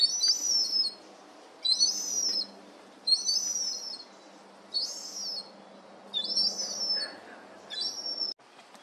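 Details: Fledged juvenile herring gulls, siblings playing in a garden and investigating things after leaving the nest. Six high, drawn-out whistled calls, each slurring downward, repeat roughly every one and a half seconds.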